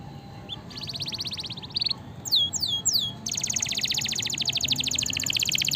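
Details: Canary singing offered as master song to spur lazy canaries: a fast, even high trill, a few loud downward-swooping whistles, then a long rapid rolling trill.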